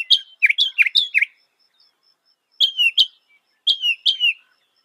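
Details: Northern mockingbird song: a fast burst of five loud, chirpy, slurred notes, then a pause and two shorter phrases of quick repeated high chirps, with a silent background.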